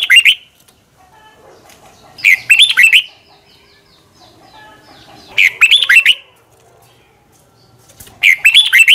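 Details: Morning song of a red-whiskered bulbul, recorded as a decoy for training: four short, rich warbling phrases of slurred whistles, spaced about two to three seconds apart with silence between.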